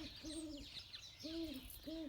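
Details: Great Horned Owl, a male rehabilitation-centre bird blind in the right eye, gives three deep, soft hoots, each under half a second, over steady background hiss; possibly a greeting or an "I'm the boss" call.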